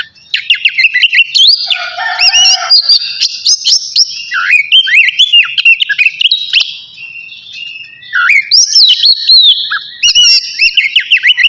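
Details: Navy oriental magpie-robin singing hard ahead of bathing, a long varied sequence of bright whistles, buzzy notes and quick repeated chirps, with a lower whistled phrase near two seconds.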